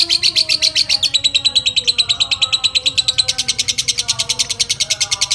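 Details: Long ngekek chatter from a fighter lovebird, used to stir up other lovebirds and as a training model: fast shrill rattling pulses, about two dozen in five seconds, with soft whistling behind.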